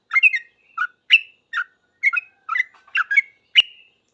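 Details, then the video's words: Sooty-headed bulbul singing fast in response to other bulbuls; a brisk run of eight or nine bubbly, slurred chirps, roughly two per second, alternating higher and lower notes, ending in a sharp click and a brief whistle. "Trucuk gacor paling cepat di respon trucuk lain langsung bunyi ribut ropel"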